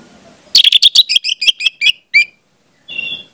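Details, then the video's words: Orange-headed thrush song played to train juvenile birds: a fast burst of about a dozen sharp, high chirped notes over one and a half seconds, then a pause and a short buzzy trill. "pancingan anis merah"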